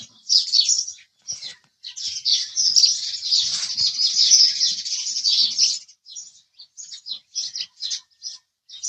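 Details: House sparrows chirp in a continuous excited stream for about six seconds, then break into short separate chirps spaced roughly half a second apart.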